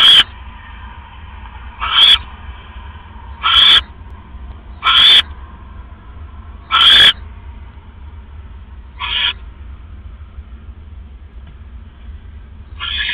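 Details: Nesting owl at 3:40 AM, 5 October 2015, during a rat delivery: a series of about eight rasping, hissy screeches at irregular one-to-two-second gaps, louder early and fading later, with a steady low hum underneath.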